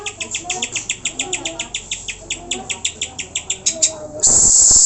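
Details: Greater green leafbird song used to stir pet birds to sing: a steady rapid series of sharp, high, ringing notes, about four per second, ending in a loud burst of noise.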